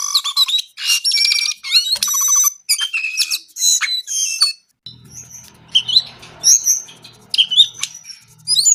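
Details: Brown-eared bulbul singing energetically: dense bursts of chattering, trilled and whistled notes for the first half, then scattered high whistles and chirps over a faint low hum.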